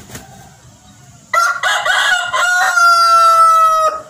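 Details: Rooster on a chicken farm with hens, giving a loud drawn-out crow lasting about two and a half seconds, starting in broken bursts and ending in a long steady, slightly falling note. Quiet background before it.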